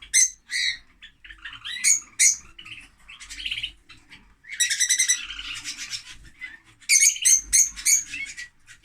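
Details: Noisy lovebirds chattering: sharp, shrill chirps and squawks in quick bursts with buzzy, rasping notes between, high and piercing, about three calls a second, irregular rhythm.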